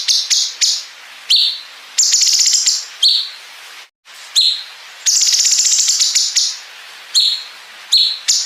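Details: Competition-training song of a bulbul (cungkok) with long 'bren' fill: clusters of quick shrill chirps alternate with extended buzzy rattles, broken by a brief silence midway.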